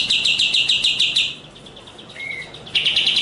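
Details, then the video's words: Eurasian tree sparrow (gereja cililin) training recording for songbird contests, possibly mixed with sooty-headed bulbul: rapid dry chirps repeated about three per second at high pitch, a pause with one short whistle, then the chirping resumes. "masteran komplit untuk burung lomba gereja_cililin _kapsa tembak suara asli dan jernih# berjeda"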